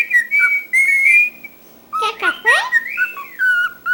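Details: Chatty cockatiel kept as a pet, with long sustained whistles, then a burst of harsh squeaky chatter and an arching slurred whistle followed by shorter notes.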